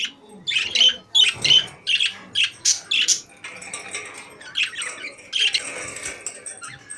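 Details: Caged budgies sing a series of quick, evenly spaced chirpy bursts, about three a second at first, then a softer, rambling buzzy warble with faint background twitters.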